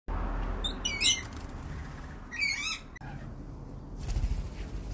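Lorikeet giving two harsh, shrill screeching bursts about a second and a half apart, over steady low rumbling background noise.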